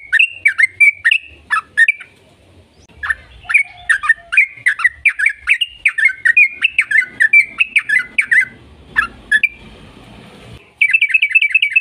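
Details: Yellow-vented bulbul song used as a lure to set other bulbuls singing: long run of loud, quick whistled notes that dip and rise, delivered in bursts with short pauses and a brief hiss near the end.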